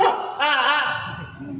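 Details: A yellow-naped amazon imitates a dog during a live bird show at Jurong Bird Park, Singapore: two rough, harmonic barks, a short yap and then a longer hoarse woof, with crowd murmur behind.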